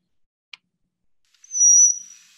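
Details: Brown-headed cowbird in the Nederland region gives one thin, very high whistled note lasting about half a second, preceded by a single soft click.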